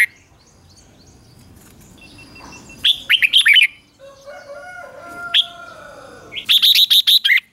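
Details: Red-whiskered bulbul morning song for training: quiet start, a short burst of warbled notes, a steady tonal hum, then a fast run of about seven loud, clipped whistles.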